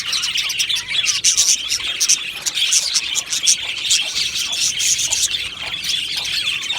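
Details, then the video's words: Aviary colony of budgies chirping: thin, piercing tweets and repeated sharp high notes ride over a steady, dense background of overlapping chatter from many birds. "Beautiful Happy Budgie singing and chirping sounds"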